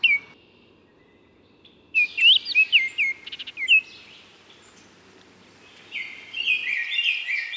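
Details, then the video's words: Baltimore oriole singing a burst of rich whistled notes, some slurred upward and some downward, in an uneven series with pauses, followed by a stretch of brighter, harsher chattering notes near the end. "O canto do Corrupião de Baltimore ( Icterus Galbula )"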